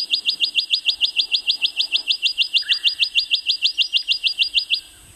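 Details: A male Rufous Whistler in Queensland's Burnett region, Australia, sings a long, even run of sharp, high notes, about four or five a second, for nearly five seconds; a brief lower note cuts in midway.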